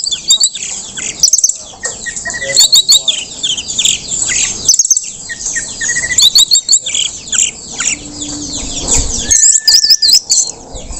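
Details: Orange-headed thrush (Geokichla citrina), just after moulting, sings a steady, rich stream of high twittering phrases and bright whistles, with a long level whistle near the end.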